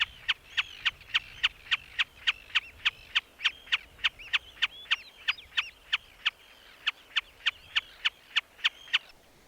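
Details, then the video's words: Common Snipe on Grimsey Island, Iceland, in summer, calling steadily with sharp ticking chip notes, about three or four each second, with faint thin whistles from other birds behind. "I've got a common snipe that's calling back here. You can hear it."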